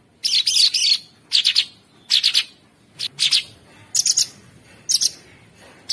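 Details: Sooty-headed bulbul masteran for training champion songbirds, in a rough, ceaseless style: loud, high, buzzy chirp clusters of two or three notes, repeated about every second.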